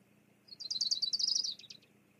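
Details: Bald eagle at a Fraser Point nest, 9 May 2022, live cam recording, as the female sends the male away after a fish delivery. One rapid, high chittering run of about a dozen quick notes lasting just over a second.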